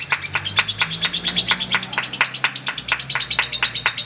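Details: Lovebird ngekek panjang chatter during a contest bout: a fast string of shrill, squeaky chirps, a couple every second, running without pause over a soft low background drone.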